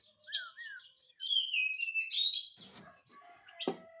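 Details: Oriental magpie-robin in full song, used to coax reluctant magpie-robins into singing: a short wavering whistle, then a loud run of sliding, rising and falling whistled notes, ending with a sharp rasping burst.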